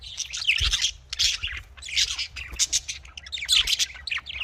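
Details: Budgerigars (Australian parrots) in a breeding setting keep up a busy twittering chorus of scratchy chirps and short squawks in dense clusters, with a soft low rumble behind.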